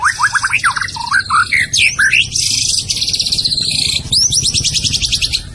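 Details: White-rumped shama from Medan in full song: quick descending whistled notes give way to long rapid buzzy trills and rattling series, very loud and dense, over a faint low hum.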